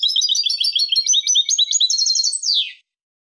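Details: European goldfinch, 2023, 'limpio' song: an unbroken run of rapid, sparkling twittered notes lasting under three seconds, ending in a descending buzzy slur, against silence.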